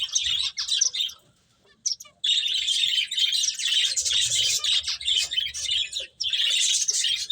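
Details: A group of finches chirps busily while eating, a high, twittering stream of short notes. It breaks off briefly after the first second and again before the end, then returns.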